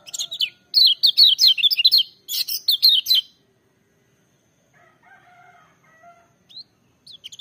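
Lemon-bellied White-eye singing rapid, high, sweet twittering phrases in bursts for three seconds, then a faint, lower warbling and a few thin high notes.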